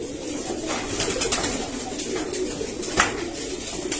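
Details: Domestic pigeons in a 31-foot loft coo in a low, steady, rolling murmur from several birds at once, broken by sharp wing claps and rustling, as winter approaches.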